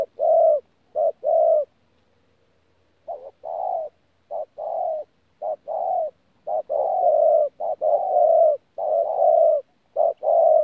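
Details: Spotted dove, a decoy bird singing in the thổ pha gù cooing style, recorded 14 January 2019: mellow low coos in paired phrases, a pause, then a long run of short, evenly repeated coo notes with no other sounds.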